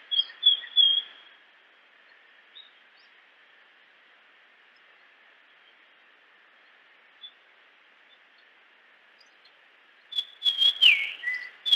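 Japanese grosbeak giving two brief bursts of clear, high fluted whistles, one at the start and one near the end, with a long quiet hiss between.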